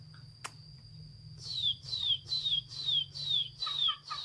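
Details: Chinese hwamei song recorded 15 June 2021: after a second of low hum and a steady high whine, a run of six bright descending whistled notes, each sliding downward, repeated about twice per second.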